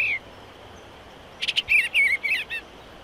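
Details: A single Eastern bluebird phrase: quick chattering notes run into sweet downward-slurred warbles, lasting about a second, after a brief note at the start.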